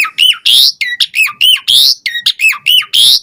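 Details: An Asian pied starling's varied song, played to set caged birds singing, here a run of harsh, rising squawky notes alternating with short hooked whistles, about a dozen in three seconds.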